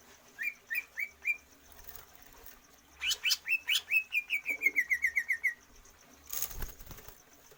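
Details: Greater green leafbird, a kept bird trained for stamina to lengthen its breath. It gives short rising chirps, then a rapid even run of about fifteen sharp repeated notes that slows and softens. A loud flutter or clatter ends the sequence.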